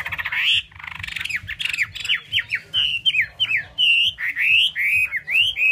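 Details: Chinese hwamei in full song indoors: a rapid string of loud, rich whistled notes, some slurred upward, others dropping sharply, delivered in quick bursts with brief gaps and harsh buzzy elements at the start.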